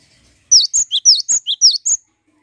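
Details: A single cinereous tit phrase, used as a lure to draw song from other birds: eight crisp, high notes in quick succession, regularly alternating between a higher and a lower pitch.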